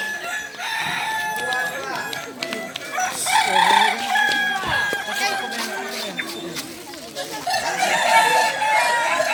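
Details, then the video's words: Kokok Balenggek chickens (kukuak balenggek) crowing at a practice crowing contest final in Sawah Lunto on 16 July 2023; many roosters overlap with long, harmonic, wavering crows and stepped notes, with voices of people talking underneath. "Ayam kukuak balenggek"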